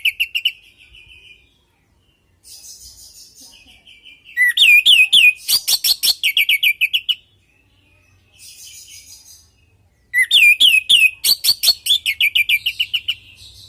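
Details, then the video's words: Orange-headed thrush in full song, played as a lure for home birds to reply: two long bursts of rich varied whistles, rattles and mimic-like trills separated by pauses with softer warbling. "Pancingan burung anis merah|Agar nyaut Dan ikut ngeplong|"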